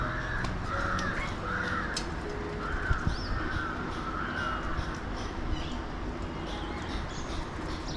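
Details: Alexandrine parakeets in Mumbai, India, seen from a window during a back-and-forth exchange: a run of four or five rough, rasping calls in the first half, then quieter, with constant low urban rumble behind.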